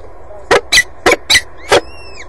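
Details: Peregrine falcon at the nest on Axel's water tower, spring 2011: four loud, grating, clipped notes spaced about a quarter-second apart, a fifth harsh note, then a thin, slurred whistle descending in pitch, over steady low hum.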